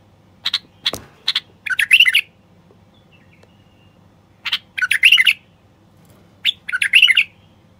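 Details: A male common bulbul sings to urge silent wild bulbuls to sing, mate and build nests. Three sharp chips lead into a bubbly warbled phrase, repeated twice more after pauses of about two seconds.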